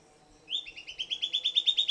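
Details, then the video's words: Silvered antbird singing: after a short quiet pause, a rapid series of about fourteen sharp, high notes begins, rising slightly in pitch and growing louder through the phrase. "Silvered Antbird Sclateria naevia Singing"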